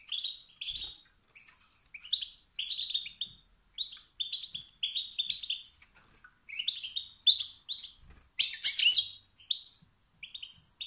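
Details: Calls of a male European goldfinch, meant to rouse competing males to song; repeated chirpy, slightly buzzy twitter phrases, one harsher burst near eight seconds, occasional soft knocks.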